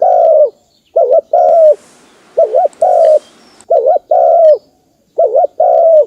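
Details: Spotted dove cooing, recorded for use as a lure call. Loud, low cooing phrases come in rapid succession, each a pair of quick wavering notes followed by a longer drawn-out coo, repeated about every second with short silent gaps.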